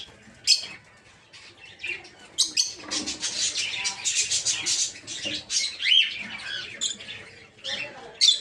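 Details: Captive peach-faced lovebirds in a breeding aviary produce dense high chattering and buzzy twitters, broken by a few sharp shrill screeches.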